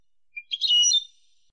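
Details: European goldfinch, copia malaga style, edited to teach young birds. A single soft high note is followed by a short, dense burst of buzzy twittering that fades out within about half a second.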